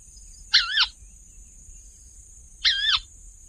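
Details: A crake of densely vegetated wetlands, brown above and pale gray below with a black eye mask bordered by white stripes, gives two raspy, wavering kawa calls about two seconds apart over a steady high insect hiss.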